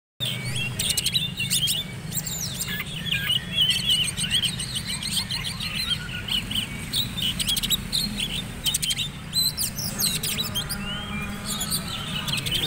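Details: Oriental magpie-robin prepared for the black-and-white class of a singing competition, delivering rich, varied high song: rapid buzzy trills, sharp chirps and whistled slurs in dense bursts, with men talking quietly underneath throughout.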